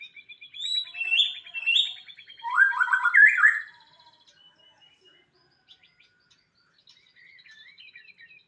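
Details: White-rumped shama singing a loud, varied song of whistled rising phrases and rapid repeated buzzy notes for about four seconds, followed by quieter soft twittering.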